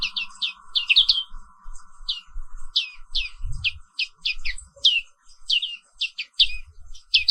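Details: Black-capped white-eye, a Papuan 'wiklus' pleci endemic to Indonesia, singing in the morning: rapid bursts of high, sharply down-slurred chirps repeated through the clip, over a steady low hum and faint low thumps.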